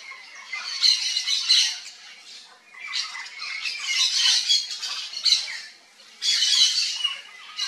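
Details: Loud, raucous squawking from a yellow-faced parrot of central Brazil, coming in three or four harsh bursts with brief quiet gaps between them.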